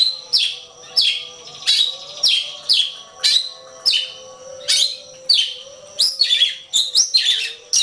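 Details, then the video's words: Oriental magpie-robin training recording: harsh rasping notes repeated roughly every 0.6 seconds, ending in denser scratchy phrases, over a constant low hum. "Ocehan Suara Burung Kacer"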